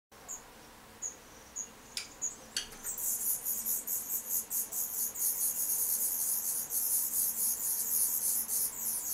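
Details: Black redstart chicks being fed by a parent: a few faint thin high notes at first, then from about three seconds a dense, rapid run of high, hissing, buzzy begging calls, pulsing several times per second to the end over a low steady background hum.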